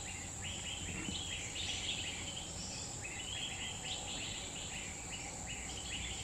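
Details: Free-living grey-bellied bulbul in Central Kalimantan forest, Indonesian Borneo: clipped, chattering note series rising and falling in short bursts about every second, against a constant thin buzzing of insects.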